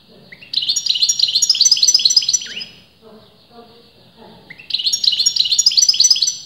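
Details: European goldfinch, a bird whose sex experienced breeders disagree on, singing continuously: two bursts of rapid, high, tinkling twittered notes with liquid trills, separated by a short pause with faint low background sounds.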